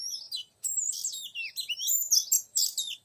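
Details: Oriental magpie-robin used to lure a young wild male: a rich, continuous stream of varied whistles, swooping and warbling phrases sliding up and down.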